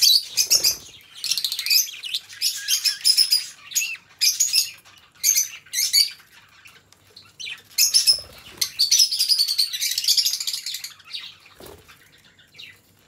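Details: Two pet budgies chatter in long runs of fast, scratchy, high warbling broken by short gaps, with a few soft low knocks, and a sustained busy stretch of rapid notes toward the end.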